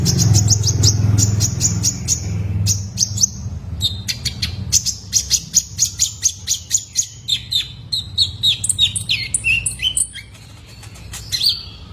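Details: {'text': "Juvenile male Van Hasselt's sunbird, kept as a lure for training caged birds. A long, fast series of sharp, very high chips gives way to varied twittering and slurred whistles, over a low rumbling background."}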